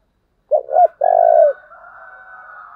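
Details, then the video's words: A decoy spotted dove's "thúc" phrase, used to lure wild birds: two brief, arched coos and a long, level coo, followed by a thin, sustained higher whistle continuing in the background. "Cu mồi thúc vầy chịu gì nổi"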